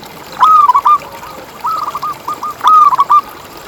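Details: Lure song of a vigorous local zebra dove for getting other zebra doves to sing: two loud phrases of rapid, rippling coos with a quieter string of repeated notes between them.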